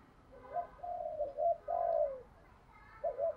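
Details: Spotted dove with thổ-style cooing, considered a good decoy: soft rising coos leading into a long, smooth, falling coo, then a brief final note over light hiss.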